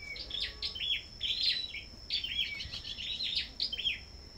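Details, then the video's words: Competitive singing of sâu đầu đỏ at a bird farm. Continuous rapid twittering of high, sharp chirps and short warbled notes packed closely together. A constant high-pitched tone sits behind them. "Sâu Đầu Đỏ Hót Đấu Đủ Loại"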